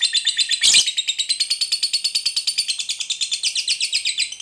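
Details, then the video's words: Lovebird fighter giving a long ngekek chatter, used to provoke other lovebirds into singing: a rapid run of harsh, buzzy high notes repeated with short, tight gaps, with one louder burst near the start. "Lovebird Ngekek Panjang JEDA RAPAT AMPUH Buat Pancingan Lovebird Fighter, Atasi Lovebird MALAS BUNYI"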